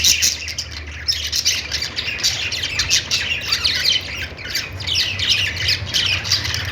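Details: Several budgies chirping at once, a busy overlapping stream of scratchy warbles and short tweets with no pauses, a faint low hum beneath.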